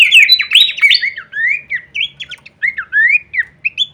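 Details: Horsfield's babbler in full-variation kleperan song meant as masteran for songbirds: a rich jumble of slurred whistles at the start, then separate rising and falling whistled phrases spaced by short gaps.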